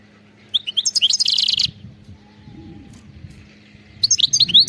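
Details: Wild European goldfinch singing: a rapid jumble of high twittering, tinkling notes in a burst of about one second, a quiet pause, then a fresh twittering phrase begins.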